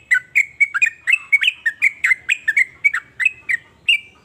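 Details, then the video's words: Sooty-headed bulbul giving a lively series of short, bubbly whistled notes, about three or four a second, each slightly rising or falling, ending on a longer steady whistle; quiet background. "BURUNG TRUCUKAN NROOEL GACOR"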